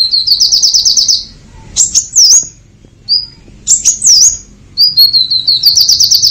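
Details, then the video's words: Purple-throated sunbird in full song with sharp bursts. A rapid high trill of even, repeated notes opens the clip. Shrill rising-falling whistles follow, then a brief pause before more whistles and a closing trill. "SUARA KOLIBRI NINJA GACOR FULL TEMBAKAN TAJAM"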